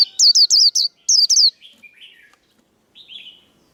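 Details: Cage-kept Japanese white-eye in líu đấu fighting song, meant to provoke other birds: seven shrill falling notes in quick succession, trailing into softer, lower twittering.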